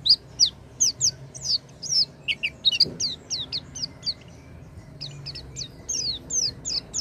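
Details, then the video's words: Oriental white-eye, played to coax a non-singing white-eye into song: a run of sharp, high, descending chirps, briefly broken by a dull knock, then resuming in quick pairs. "pancingan pleci macet bunyi dengan suara ini"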